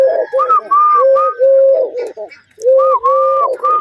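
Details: Dove calling to the rhythm of finger tapping, giving a run of soft, hollow, level coos in short phrases with brief gaps, the phrases broken by a pause midway; a man's voice is faintly heard.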